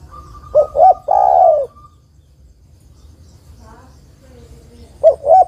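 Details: Female zebra dove calls a male, a lure for a male that rarely sings. Two short notes and a long coo over a thin steady tone, a faint murmur, then two more short notes.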